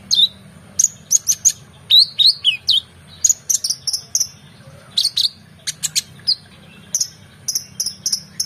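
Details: Oriental magpie-robin in full energetic song, used for training competition songbirds: quick varied phrases of high whistled slurs, clicks and chips in irregular bursts, with a faint low hum behind.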